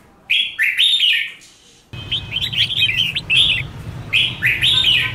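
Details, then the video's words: Red-whiskered bulbul roused to competitive singing: a bright, warbled phrase, then after a cut a run of quick chirped notes and more rich phrases over a low steady hum. "Chào Mào Kích Bổi Lên Lửa!.. Luyện Chào Mào Hót Đấu Căng. Thúc Chim Sổ Giọng"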